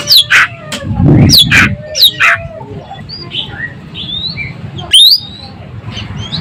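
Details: Asian glossy starling from Sumatra, a sharp-voiced singer, giving loud harsh, sharp calls mixed with short rising whistles and softer chatter over a low, steady background hum.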